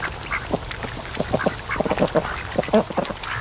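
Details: Raised ducks lounging at a creek mouth on a lake in the afternoon produce rapid, chattering runs of short quacks, several birds calling over one another.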